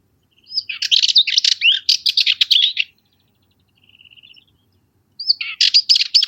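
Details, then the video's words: Cyprus Warbler singing a long, harsh chattering phrase of dense rattled notes lasting over two seconds, then a thin, fast, quiet trill, then another scratchy burst begins; no other sounds. "Cyprus Warbler - Songs"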